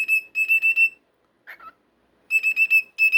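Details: Pet cockatiel producing bursts of identical clipped, high whistled notes, four or five in quick succession, broken by a short lower squeaky chirp, with a quiet room between.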